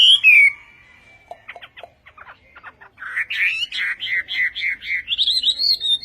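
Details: Vietnamese-style Chinese hwamei song opening with one loud descending whistle, a few quiet clicks and chips, then a lively run of warbled whistles climbing higher toward the end.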